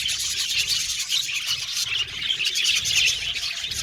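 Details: Colony of happy budgies in an aviary making natural chirping sounds: busy, overlapping high-pitched twitters and chirrups forming a steady chattering blanket, with a few sharper squeaky notes standing out.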